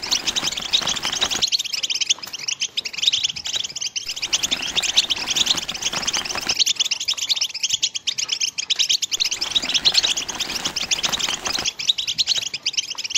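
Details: Goldfinch mating twitter in the betbta and stsesta styles, a long unbroken chatter of high, fast chirps and trills, with several sudden shifts in background tone between sections.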